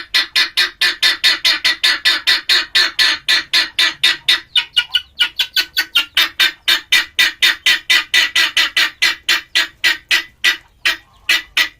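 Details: Male helmeted guineafowl giving a long series of harsh, grating cackles, about four per second, steady and loud, with one short break midway before the rhythm resumes.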